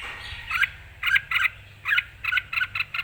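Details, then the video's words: Excited Red-whiskered bulbul singing clearly: short bursts of bright, chattering double notes repeated at roughly half-second intervals over a soft low hum. "คึก สด พร้อมบวก #เสียงนกกรงหัวจุก #นกกรงหัวจุก ร้องชัดจัดเต็ม"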